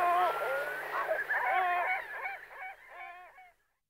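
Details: Great black-backed gull: a loud tumble of overlapping honking, yelping calls that thins into short, evenly repeated nasal notes and fades to silence at the end.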